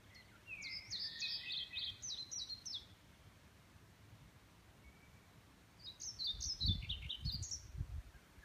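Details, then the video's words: A European pied flycatcher at Nymølle gives two short bursts of high, sweet, jerky song notes, each phrase about two seconds long, over a low rumble of wind. "Broget Fluesnapper"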